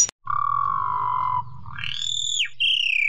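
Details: Asian pied starling, called jalak suren locally, in loud master-recording song: a long low nasal croaking note, then a strained high whistle that rises, holds and drops, followed by another descending whistled tone.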